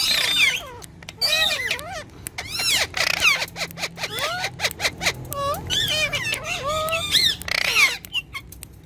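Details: Pet green ringneck talking parrot chattering: strings of speech-like squawked syllables and curving whistled notes, nearly continuous over nine seconds, with faint low background hum.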